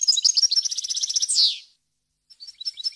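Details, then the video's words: Clean European goldfinch song for teaching young birds: a dense high tinkling trill ending in a loud buzzy slur, a pause, then soft twittering notes resume. "غناء طائر الحسون ، صوت صافي وخالي من الاخطاء لتسميع الفراخ"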